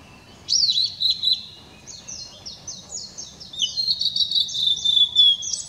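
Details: A blue-and-white flycatcher sings on 7 May 2016, opening with loud sharp whistles, then a long rapid series of descending high notes that builds toward the end, low hum beneath.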